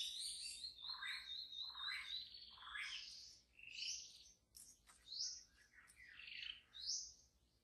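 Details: White-rumped shama singing wild in the forest, a dense run of buzzy and whistled phrases with sliding notes and sharp high chips, over a low background hum.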